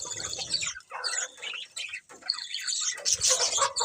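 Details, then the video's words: Colourful budgies chirping in short, harsh chattering phrases with high squeaky notes, the chatter pausing briefly and returning louder near the end. "Beautiful Colourful Budgies Chirping Sounds"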